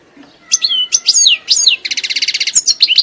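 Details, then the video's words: European goldfinch song starting with three bright swooping slurred notes, followed by a rapid buzzy trill and a few final high twitters. "La Star du Chant d'oiseaux"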